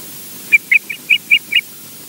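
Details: Osprey named EJ at Loch Garten, Scotland, seen on a nest camera, gives six short, clear whistled chirps in quick succession, about five per second, over a faint steady hiss.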